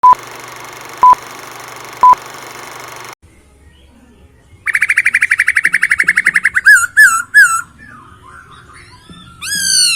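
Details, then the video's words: Masked laughingthrush with a clear voice: after three electronic beeps and a pause, a rapid string of about twenty even, buzzy repeated notes, then looping whistled slurs and a rising sweep. "Poksay Hongkong isian suara jernih dan mewah"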